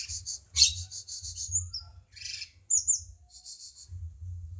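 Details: Cucak cungkok bulbul, as a tutor song for songbirds: rapid pulsed trills of high notes, a scratchy burst, a couple of clear whistled slurs, and another short trill, with low hum behind.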